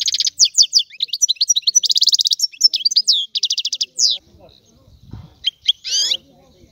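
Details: European goldfinch song of quick, liquid twitters, fast repeated chattering runs and bright slurred notes for about four seconds, then near silence broken by a few last chirps and a faint low thump.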